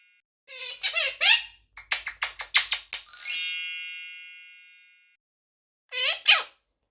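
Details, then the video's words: Pet Monk parakeet (Quaker parrot) saying "thank you" in a high, squeaky voice: a few short syllables, a quick run of clicks and a ringing tone, then two more words. "Quaker Parrot saying thank you"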